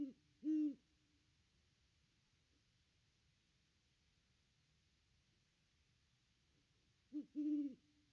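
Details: Widely spaced hooting from a Great Horned Owl watching around its nest tree, caught by a nest cam on 25 December 2021: a single soft low hoot, almost seven seconds of near silence, then a short double hoot.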